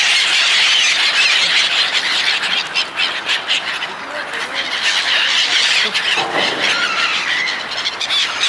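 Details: Seagulls gathering as people feed them: a dense, continuous chorus of high, harsh squawking calls from many birds overlapping throughout, easing briefly near the end.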